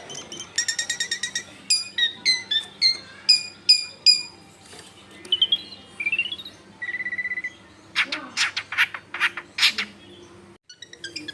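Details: Long-tailed shrike in lively song, played to get other shrikes singing, recorded in a dense neighbourhood: rapid stacked notes, rising slurred whistles, a steady held tone, then harsh broad rasping bursts.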